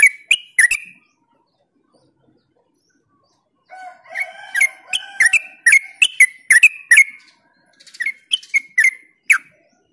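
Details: Yellow-vented bulbul singing to lure other bulbuls: a few bubbly notes, a pause of silence, then a lively run of chattering, gurgled phrases about three per second with a low whistled tone beneath, ending in several spaced notes.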